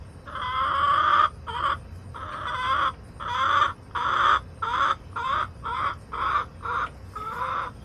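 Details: Backyard hens in late August, close and loud: a rapid series of harsh, nasal squawking cackles, the first long, then shorter bursts repeated about twice a second, in a fairly quiet yard.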